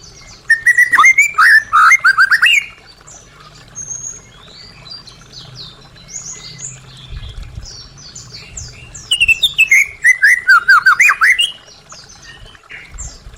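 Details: Caged-bird stimulation song of a white-rumped shama, two bursts of rich varied whistles, slurs and high chips, each lasting about two to three seconds, separated by a quiet pause with faint low rumble.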